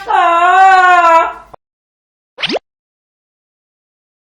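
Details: Pet Amazon parrot kept indoors in cold weather fake-crying at its owner in the morning, a long, wavering, nasal wail imitating crying, then a short rising squawk and silence; the owner says it is not really sad.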